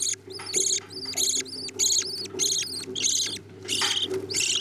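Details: Budgerigar parents feeding chicks, which beg with about nine rapid, harsh, buzzy bursts that sometimes run together. A low hum and soft chatter sit beneath.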